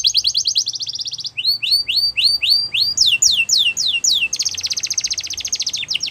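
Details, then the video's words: Yorkshire canary singing a training song meant for young canaries, opening with a fast rattling trill, then loud sweeping whistled notes in steady series, ending in another rapid dense trill. "The Best Canary Training Song | Yorkshire Canary Singing"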